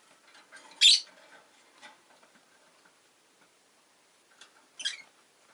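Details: A rosy-faced lovebird gives two strident, harsh chirps about four seconds apart over a low murmur of background town noise and faint ticks.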